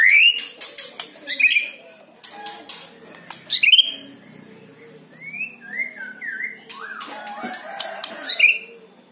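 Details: White-rumped shama song to prompt kept birds to sing: short bright upswept whistles every second or so, softer slurred whistled phrases between them, and scattered faint clicks.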